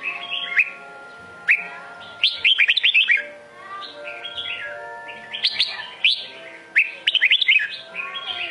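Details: Singing red-whiskered bulbul of the Sông Kôn kind repeats bright phrases: sharp upslurred chirps leading into rapid bubbling bursts of whistles, separated by softer warbled passages, three phrase groups in total.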